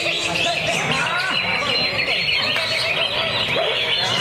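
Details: Greater green leafbird (cucak ijo) kept in a lovebird cage, singing its full repertoire in a dense, unbroken stream of rapid, high chattering song with tight, trembling trilled phrases; other cage birds chirp beneath it.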